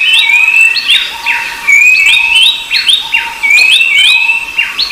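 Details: Rufous-browed babblers (Pellorneum capistratum) and other babblers calling in a busy, noisy chorus: clear, high whistles, many rising or slurred, overlapping and repeated every second or two, with no other sounds behind.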